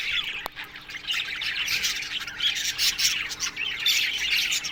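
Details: Morning sounds of an Australian budgie aviary: a quieter, steady chorus of chirps and rasping squawks from many birds, with one sharp click near the start and a faint steady hum.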